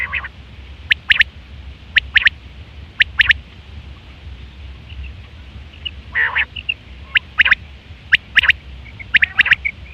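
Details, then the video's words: Quail calling, recorded September 2023, a common call used for hunting and mating; sharp, high three-note bursts repeated roughly every second, with a few softer buzzy notes and a low steady hum beneath. "Quail fresh sound sep 2023/ batair ki awaz"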